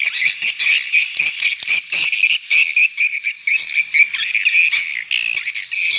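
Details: Swiftlet calls used to call young swiftlets: loud, choppy high twittering in rapid clustered bursts, thick overlapping chirps with brief dropouts between groups.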